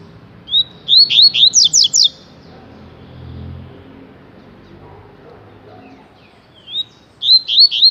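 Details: Tui-tui song of a rusty-collared seedeater (coleiro), a rapid series of high, sharply down-slurred whistles, repeated after a pause of about four seconds, with faint low background hum.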